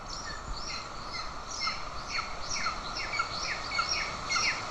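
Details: Golden eagles in Estonia on 20 June 2024, the father arriving with a bird while the mother feeds an aggressive chick; sharp, falling, chirp-like calls repeat about twice a second over a steady background hum.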